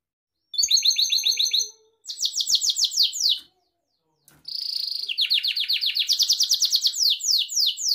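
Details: Gloster canary, a pet, singing for canary training: after a brief silence a fast high trill, a run of slurred chirps, a pause, then a long accelerating series of sweeping notes.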